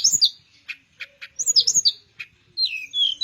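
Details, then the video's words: A flycatcher, a cage bird kept by songbird hobbyists and used as a tutor for other birds, sings in full voice: sharp separate chips, then twisting high whistled slurs and descending sweeps. "Suara Teledekan Melayu Gacor"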